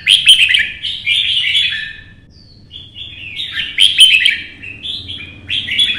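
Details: Loud, rich warbling from a red-whiskered bulbul in competition singing, hopping along its perches. Chattering, slurred phrases pour out in two main bursts with a brief lull between them.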